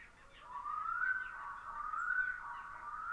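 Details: Black-throated loon giving a clear, mournful tonal call that slides slowly upward in long, rising phrases over a quiet background; recorded on an island in Lake Puula, Finland, after sunset, 22 May 2020.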